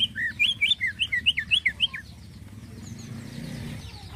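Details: Greater green leafbird in active 'isian halus' fine fill-in song. Around ten fast, looping whistled notes fill the first two seconds, then fade into low background noise with faint distant chirps.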